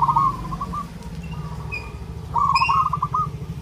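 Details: Local zebra dove, perkutut lokal, singing loudly while seeking a mate: two bursts of stuttering, trilled coos near one pitch, separated by quieter cooing, over a steady low hum.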